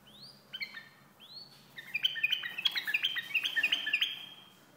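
White-eared bulbul singing: two rising whistled sweeps open, then a quick run of bright, bubbling notes about three to four per second.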